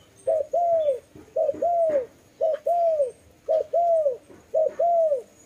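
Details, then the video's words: Steady dove calls, each a brief low note then a drawn-out downslurred coo, given in an even rhythm roughly once per second, against a quiet background with a few soft taps. "Lovely dove/ lovey sounds"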